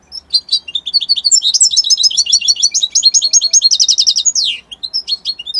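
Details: Italian goldfinch singing a lively, high-pitched twittered phrase of varied chirps that speeds into buzzy repeated trills, ends in a sweeping descending note, then resumes with a few sharp chirps.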